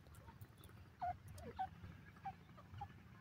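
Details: A partridge calling in the forest gives short, clear notes that drop sharply into a steady whistle, four in about three seconds, over a low rumbling background.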